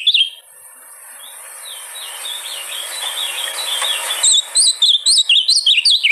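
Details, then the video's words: Ultramarine grosbeak song for stirring a caged bird to sing: a short whistle, then a long hissy stretch with faint notes, ending in a loud, rapid run of bright, swooping whistled notes. "canto para levantar azulao em menos de 4 minutos"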